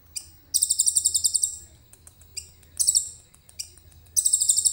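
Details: Phone recording of a common iora singing cililin-style material. Dense, very high, rapidly pulsed trills come in bursts of about a second, with softer chips between and a faint low hum underneath.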